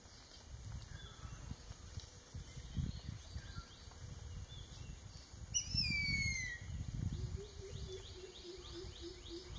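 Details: Newly fledged Jerdon's baza, one of three fledglings from a nest in Kaeng Krachan National Park, Thailand, 13 July 2021: a single clear whistle sliding downward, with faint chirps from other birds and steady low rumbling background noise.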